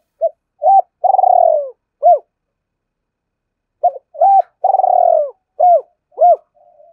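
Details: Decoy spotted dove luring wild birds: two matching phrases of low coos, each a couple of short notes, a long purring coo, then two clipped coos, separated by a quiet gap.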